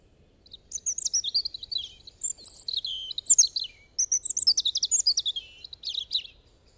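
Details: European robin in full song: three bright phrases of rapid, high, liquid whistles and sharp twittering trills, each about one to two seconds long, separated by brief pauses, loud and clear.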